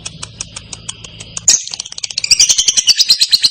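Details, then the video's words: Lovebird ngekek song meant to trigger replies from other lovebirds: spaced soft high ticks over a low hum, then a sudden loud burst swelling into a fast, shrill, rising trill. "LOVEBIRD MANAPUN AKAN NYAUT, BEGITU DENGAR KICAU LABET NGEKEK JERNIH PANJANG INI"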